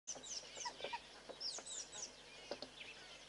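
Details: Southern pied babbler (Turdoides bicolor) hopping along a fence gives harsh, scratchy chattering notes and quick high sweeping chirps in an irregular, overlapping burst, as if several birds call together.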